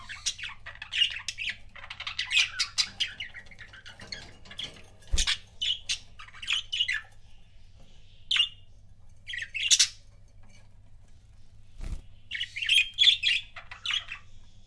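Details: Pet budgie pair indoors, chattering in intermittent bursts of scratchy chirps and squawky warbles separated by quiet gaps, with two sharp knocking thuds and a steady low hum.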